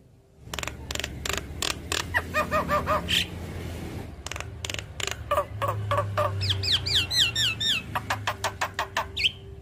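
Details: Javan myna song used to coax other mynas into singing: rapid harsh rasping pulses with nasal notes, then a string of bright downslurred whistles, over a low steady hum.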